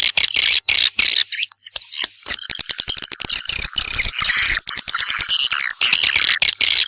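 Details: Nest-attracting swiftlet chatter: high buzzy twitters and squeaky trills from a crowd of birds, interleaved with fast dry clicks, loud and nearly unbroken, one short lull early on.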